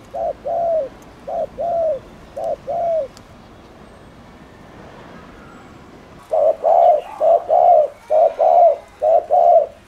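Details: Spotted dove giving provocative coos: three short-long pairs, a pause of about three seconds, then a louder burst of rapid low coos.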